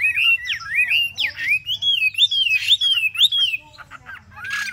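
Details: Caged Chinese hwamei, a bird kept three months, singing loud slurred whistles that sweep up and down between phrases, a rapid series of looping notes about twice a second, ending with a short pause and one final downslurred whistle.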